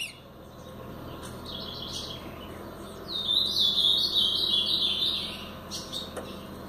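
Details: Ultramarine grosbeak in the Paraná pardo style: faint scattered notes give way to a sustained, bright warbled passage of blurred, quavering whistles lasting about two seconds, then a few soft trailing chips.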